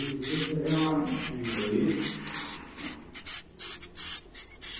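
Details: Young swiftlet chicks give harsh hissing bursts mixed with thin, high whistled notes, pulsing steadily about two to three times per second, with a faint low rumble underneath at the start.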